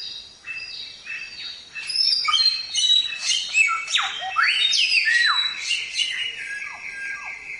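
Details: Samyong singing continuously, recorded as training material for songbirds: a rich, varied run of clear whistles, buzzy notes and steep downward sweeps, with a long level whistle held near the end.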